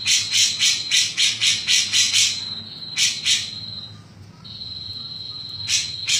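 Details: Chattering grey-cheeked bulbul in the "mbeset-mbeset" style: a quick run of raspy, hissing bursts, then a pause with only a steady high whine, then two more harsh notes.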